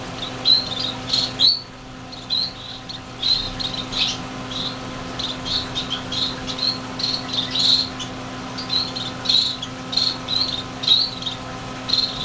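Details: Six fledgling finches, on the day they left the nest in a greenhouse in January 2007, able to fly a little; dense, rapid high chirps repeat almost continuously over a steady low electrical hum.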